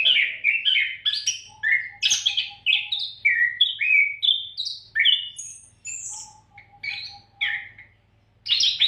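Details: Oriental magpie-robin in full, continuous song, used as a tutor recording for training other songbirds: a rapid, unbroken stream of varied whistled and chattering phrases, mostly mid-high, with short rising and falling notes and occasional thin high whistles.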